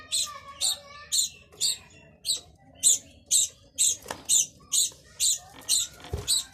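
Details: Budgerigar calling in a steady series of short, harsh chirps about twice a second, fairly even in rhythm, with a couple of dull knocks near the end.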